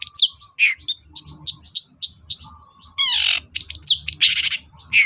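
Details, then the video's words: Long-tailed shrike singing vigorously to coax silent shrikes into song: repeated short piercing whistles about three a second, then a harsh grating chatter and twisting whistled phrases. "BURUNG CENDET GACOR DOR PANCINGAN AMPUH CENDET SUSAH BUNYI"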